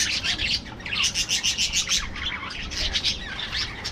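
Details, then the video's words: Aviary budgerigars give a rhythmic run of sharp double chirps repeated about five times a second, followed by mixed warbling chatter. "parrots,parrot,talking | budgies bird"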